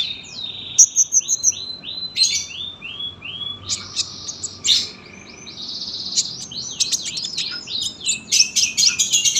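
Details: Sunbird singing a long phrase: a run of repeated slurred high notes, a brief ticking trill, then a dense rush of sharp twitters and rattles that builds to the end.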